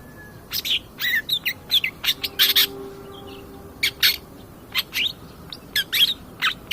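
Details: Long-tailed shrike song used as a training recording to provoke other birds: sharp, varied chirps and harsh notes delivered in irregular bursts over a steady low hum.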